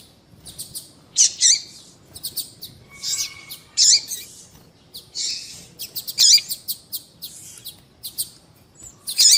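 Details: Female double-collared seedeater calling many times, used to stimulate males. High, sharp chirps come in loose clusters with rapid ticking bursts between them. A faint steady tone appears briefly near three seconds.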